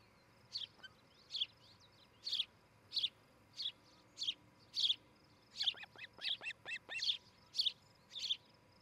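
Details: Osprey at a nest in Charlo, Montana, filmed on a nest camera on a July morning: short, high, whistled chirps repeated about every half second, with a quick run of sharper hooked notes late in the sequence.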